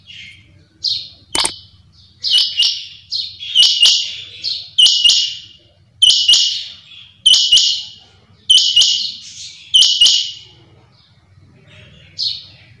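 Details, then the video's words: Female rain quail calling in the morning: harsh, high chirping bursts about every second, each note scratchy and slightly rising, with sharp clicking knocks between some calls. "Suba ky time py chinga ki awaz/Quail sound"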